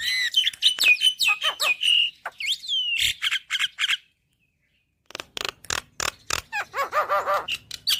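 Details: Black-winged starling in full song, varied with imitated fill-ins, used as a tutor recording for caged starlings: clear whistled notes and harsh scratchy bursts, a second-long pause, then rapid buzzy rasping notes and nasal chattering phrases.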